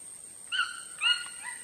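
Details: Chachalacas calling: two short harmonic notes, each held level briefly with a slight downward slur, about half a second apart, over a steady high background hiss.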